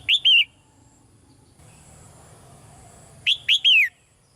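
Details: Caged female red-whiskered bulbul, calling quietly to push a male into stronger singing; a two-note warbled whistle, then after a long gap a three-note whistled phrase with a wavering final note.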